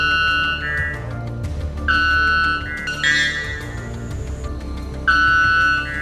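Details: Sustained electronic-sounding musical tones in stepped pitches over a low rumbling background, with no animal voice.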